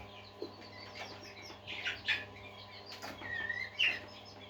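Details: Budgerigars singing as a group: busy chirps and a few longer slurred whistled notes, several louder bursts of chatter, background low hum throughout.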